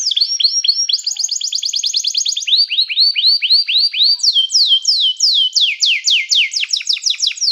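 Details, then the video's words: Canary training song, calling other canaries to join in. Several tours of rapidly repeated notes shift pitch in turn, followed by slower, strong descending whistled sweeps. Clean recording with no background sounds. "som de canário chamando amigos para cantar"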